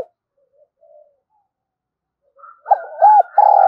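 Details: Spotted dove in the 'giọng thổ' voice style, calling continuously: faint distant chirps through quiet, then two loud arched coos and the start of a long sustained coo near the end, with a thin higher bird call above.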